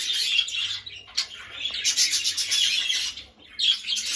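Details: A budgerigar pair, a male and a lutino female, chatter in a busy, scratchy warble of quick chirps and buzzy notes, barely pausing.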